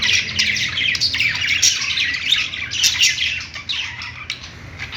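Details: Budgies perched in a pet store keep up a rapid, raspy warbling chatter of overlapping high chirps that eases slightly toward the end.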